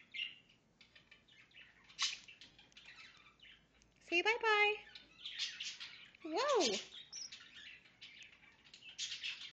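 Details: Caged male Goldie's lorikeet trying to court its owner's hand: soft scratchy chatter, then two loud, nasal, rising-and-falling harmonic calls, followed by more raspy chattering bursts.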